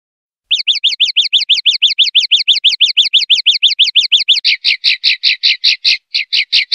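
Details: Singing common linnet, 'pardillo limpio' silvestrismo style, 2025/2026: a fast even run of high, looping notes for about four seconds, then changing to rougher, fuller chirps at a slightly slower, uneven pace.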